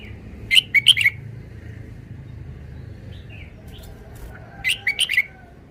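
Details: Red-whiskered bulbul giving two rapid phrases of four bright chirped notes about four seconds apart, with faint softer notes and low hum in between.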